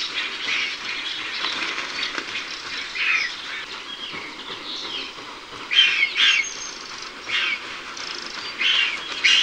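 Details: Griffon vulture from Iberia uttering scratchy, wheezing bursts at irregular intervals, a few louder rasping calls near the end, over constant outdoor hiss with faint high bird chirps.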